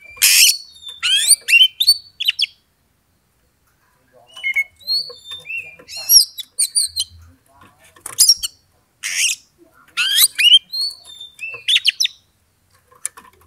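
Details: Song of an Oriental magpie-robin stirring a rival to fight, agitation building gradually; opens with a harsh rasping burst, then rapid mimicking twitters, thin whistles and more raspy bursts in varied phrases.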